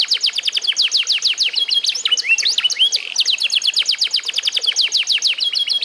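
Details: Tutored eight-month-old F1SF canary in full song: dense, rapid, high trills of falling notes, broken twice by knotted phrases of curving chirps, with a steady loud, lively rhythm throughout.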